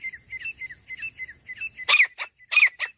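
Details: Francolin, female voice as used for hunting. Soft, short, twittering two-part notes repeat rapidly, then give way to a few much louder, harsh, scratchy calls. A steady high electronic tone sits underneath.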